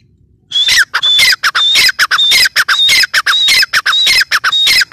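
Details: Grey francolin giving a loud, harsh, rhythmic series of squawking notes, each with a whistled upper tone, repeated rapidly in clusters of short bursts with brief gaps, steady and insistent throughout.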